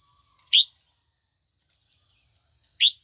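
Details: Afternoon calls of a trained female red-whiskered bulbul meant to provoke old wild males into song: two short, bright upward chirps about two seconds apart, with a faint low tone and a constant shrill hum behind.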